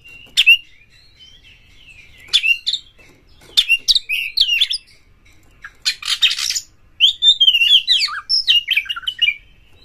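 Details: White-rumped shama, kept in a cage, singing to spur other birds: bright varied whistles and rapid warbled runs broken by dry rasping bursts, phrases separated by brief silences.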